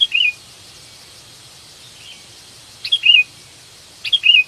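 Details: Kutilang ranting, sooty-headed bulbul, calling for a companion as a trapping lure; three short phrases, each a quick note followed by a slurred, arching whistle, spaced about a second or more apart.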